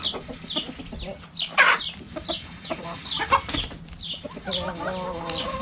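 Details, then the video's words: Backyard chickens playing with a cabbage, giving repeated short clucks and squawks at irregular intervals, with a longer harmonic cackle near the end and some handling noise. "Chicken Sounds Noises Hens Clucking Roosters Crowing!"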